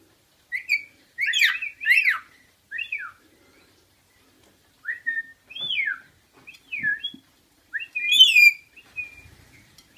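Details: A rainbow lorikeet being bird-sat, during a whistle-mimicking game, gives sharp, chirpy, downslurred notes in short bursts, with quiet gaps between clusters.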